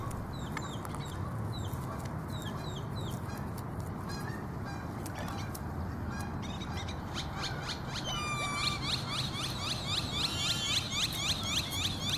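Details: Canada geese at close range at Whittier Narrows give short, nasal, upslurred honks, scattered at first, then a rapid run of calls several per second near the end, over a steady low rumble.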